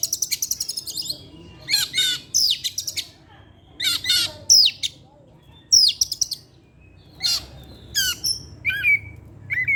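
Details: Oriental magpie-robin in evening song, repeated harsh, scratchy bursts mixed with short whistles, spaced about a second apart.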